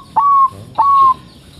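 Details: Bangkok-type zebra dove, a crossbred singer, used to prompt other doves to sing: two clear whistled notes, each starting with a sharp click-like attack, then holding a steady, slightly falling tone, about half a second apart.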